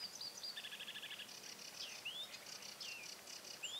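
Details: Bearded tit fledglings from 2017: high chirps and twittering, a fast dry trill of repeated notes, and short upward-sweeping whistled notes, over faint high pulsing background noise.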